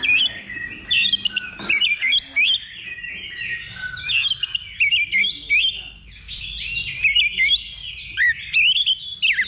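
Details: Oriental magpie-robin during a level 2 contest simulation held as training before competing: rapid varied song of whistled slurs, chattering trills and sharp upward notes, almost continuous, other birds faint behind.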